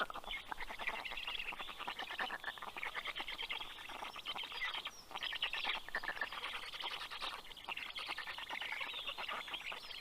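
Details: Black stork chicks on their nest in Karula National Park, southern Estonia, greet the adult male bringing fish at 11:00 am on 11 June 2023. They give a continuous dense, raspy, rapidly pulsed chatter with short gaps, and small birds call in the background.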